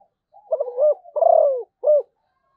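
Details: Zebra dove song: a quiet stuttering lead-in, then a long mellow rolled coo sliding downward, and a final short falling note.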